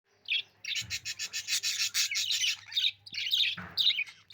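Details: A budgerigar (Melopsittacus undulatus) chirps in a fast, continuous run of high, scratchy chirps and warbles, with a few sharper squeaky notes near the end.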